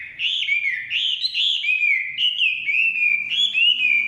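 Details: Chinese hwamei in forest giving a fluid song of repeated looping whistles, each phrase swooping up then down, strong and continuous.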